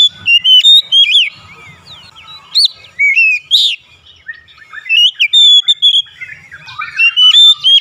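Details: Oriental magpie-robin song played as therapy to make it open its beak: varied whistles, slurred loops and sharp high notes in quick bursts, separated by short quiet gaps.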